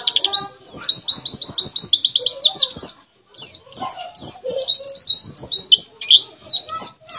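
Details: White-eye from Mount Ciremai, West Java, singing a canary-imitation song: rapid high-pitched chattering trills and sweeping twitters in fast bursts, a short pause near three seconds, then more varied squeaky phrases with lower warbled notes mixed in.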